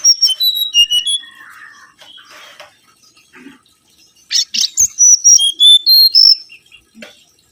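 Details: Mangrove whistler song for luring: a phrase of crisp whistled notes stepping downward, quieter scratchy sounds, then a second loud run of bright whistles dropping and rising again.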